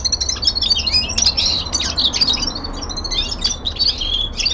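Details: Common linnet, a young male kept at home, singing its winter song: a continuous high twittering of quick chirps, trills and short whistled slurs with no pauses, over faint low room hum.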